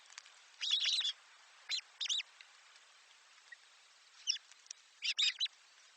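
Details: Nestling birds in a nest being fed by their parents, giving short bursts of high, thin chirping in clusters of rapid notes separated by brief silences.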